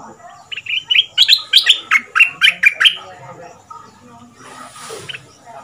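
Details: Caged Red-whiskered bulbul decoy from southern Thailand, double-style singer two months in the cage, played to teach young birds: a bright run of about nine clear, whistled notes in quick succession, then near-silence with faint background chatter.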